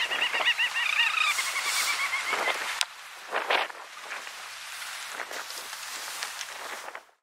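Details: Little auks (Alle alle alle) on Spitsbergen, Svalbard, Norway, in July 2016: a rapid, chattering run of nasal, wavering calls, loud at first, then softer scattered calls against a faint background hiss.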